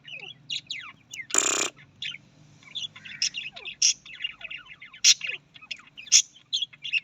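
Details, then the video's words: Australian parrots giving a lively mix of high chirps, downward-sliding whistles and sharp squawks, many overlapping notes; one loud broad rasping burst early on, low hum behind. "Australian parrot voice"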